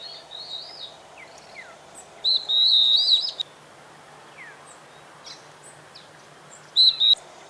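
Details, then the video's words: A pair of stripe-backed antbirds singing: two loud bursts of high, wavering whistled phrases, one lasting about a second and a shorter one near the end, with faint scattered chirps between. "kicauan sepasang "stripe backed antbird""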